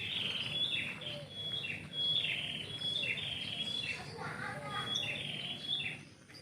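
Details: Bird singing in the morning from a yard tree, melodious: a run of clear whistled notes with quick downslurs, phrases following closely, softer lower warbles near the end, faint constant hum underneath.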